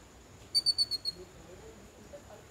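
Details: A yellow-billed babbler in a garden gives a quick burst of five high, squeaky notes in about half a second, over a thin, steady insect whine.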